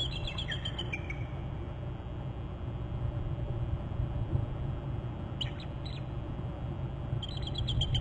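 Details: Eagles calling and alerting around their nest territory on Hornby Island in January, nest camera recording: a brief falling chitter at the start, a few isolated high notes midway, and another chattering run at the end, over continuous low rumble.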